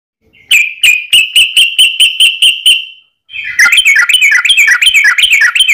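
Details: Yellow-vented bulbul fighting song used as a lure to make other bulbuls sing: a run of about ten evenly spaced bright whistled notes, a brief pause, then a fast jumbled burst of bubbly chirping notes.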